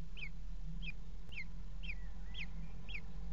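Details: Common Kestrel chicks, four young in a nest box, being fed by their mother at 17:00 on 28 June 2016, the day the fourth hatched; thin, high, downslurred squeaks repeated about twice a second over a steady low hum.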